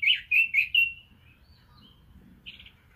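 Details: Red-billed leiothrix giving a short burst of four loud, clear whistled notes in under a second, followed by quiet, then one soft buzzy note.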